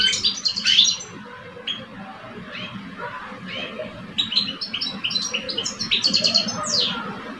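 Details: Caged male European goldfinches, one older and one two years old, singing against each other. A twittering burst opens, a quieter stretch with soft notes follows, then rapid tinkling chirps return.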